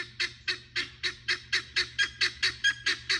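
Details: Guineafowl from a farm flock, loud and harsh: a steady train of grating, rasping calls repeated about four times per second, each note short and broadband, evenly spaced throughout; faint low hum underneath.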